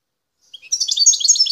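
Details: European goldfinch, a wild Algerian bird from Bouteldja, El Tarf, Algeria. After a short silence it launches into dense, high, liquid twittering that grows louder and busier toward the end.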